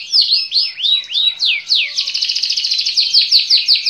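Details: Canary song opening with looping, slurred whistles that rise and fall, then breaking into a dense, rapid buzzing trill with sharp repeated notes toward the close.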